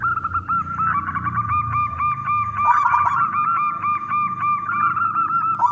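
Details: Big-voiced local zebra dove singing to draw other doves into song; fast, steady cooing notes repeated several times a second, layered with a second bird's overlapping notes throughout.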